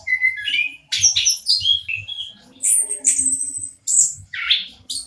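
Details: Local orange-headed thrush song, meant to stimulate silent birds into singing: varied whistles, slurred rising notes and harsh high chatter, delivered in quick phrases with brief pauses.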